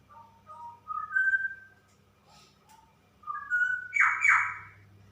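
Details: A female straw-headed bulbul in 'super ropel' song. Soft rising whistled notes climb into a clear fluting phrase, then after a short gap it ends in a loud, rich, bubbling flourish.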